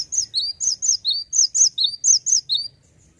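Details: Male cinereous tit in full ngeplonk-style song: loud whistled two-note phrases, a high note dropping to a lower slurred one, repeated rapidly about eleven times before stopping, in a quiet setting.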